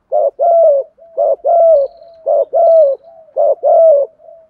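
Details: Spotted dove cooing, played to stimulate decoy birds: low, hollow two-part phrases, a short coo then a longer sliding coo, repeated four times about once a second, with soft trailing notes between.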